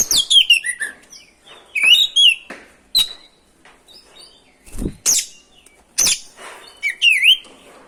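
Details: Oriental magpie-robin singing to provoke other birds: a rapid opening run of whistled downslurs, then scattered sharp chips, warbles and twisting whistles, with a low thump near the middle.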